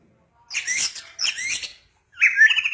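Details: White-rumped shama giving two short buzzy, scratchy phrases followed by a clear rising whistle with a trilled ending. The background is quiet.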